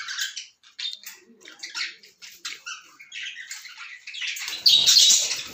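Lovebirds chatter in quick, high, scratchy chirps and squeaks, with a harsher, louder burst of squawking near the end.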